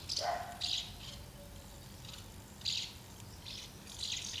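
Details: House martins gathering at two nests while feeding young, recorded 24 August 2012; short high chirps in scattered bursts, a lower buzzy note near the start, quiet pauses between.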